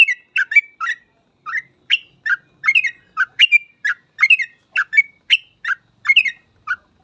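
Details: Sooty-headed bulbul, or trucukan, in gacor full ropel singing style, used as a master recording for training other trucuk birds: lively run of short whistled notes, each dipping and rising, delivered in quick clusters with brief gaps, on a quiet background.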